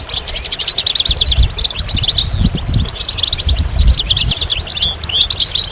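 A goldfinch's rapid, tinkling twitter runs without a break, a jumble of bright chirps and buzzy trills over a low rumble of wind.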